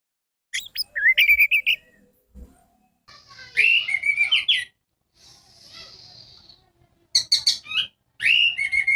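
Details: Orange-headed thrush song played to coax silent birds into singing: quick whistled phrases with sharp rising notes, a softer rambling stretch and a thin drawn-out note, then more loud, varied whistled bursts.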